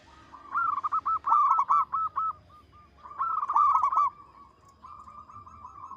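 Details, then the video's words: Melodious cooing from a local zebra dove, two loud bursts of quick repeated notes with softer trailing coos between, all at one steady pitch. "Perkutut lokal gacor suara besar panjang merdu."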